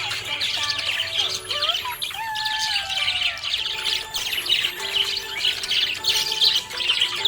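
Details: Cheerful budgie producing a steady run of rasping chatter and high twittering chirps, with a few sliding whistled notes, accompanied by background music with long sustained tones.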